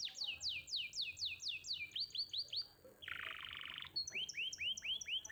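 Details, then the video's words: Gantangan champion canary song: falling swept notes give way to short upswept ones, then a dense buzzy rattle around a second long, followed by rising curved notes repeated in series. "Pancingan Kenari Muda Cepat Bunyi & Ngeriwik – Masteran Kenari Juara Gantangan"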